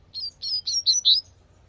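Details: Wild double-collared seedeater delivering a short burst of five clear, slurred whistled notes, each a brief upward-then-falling sweep, rising slightly in loudness toward the end.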